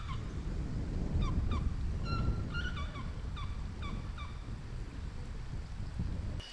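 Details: A pair of Indian Pied Hornbills bellow from atop a tall tree in open grassland at Corbett park, sounding hoarse, as if they have a bad throat. A quick run of short, nasal honking notes, about a dozen within three seconds, rises over a steady low rumble.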